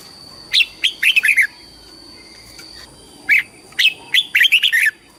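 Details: Red-whiskered bulbul singing for competition, flock calling and voice training: two bursts of loud, clear whistled notes, quick rising and falling slurs in rapid clusters, separated by a pause of about two seconds, over a faint steady high tone.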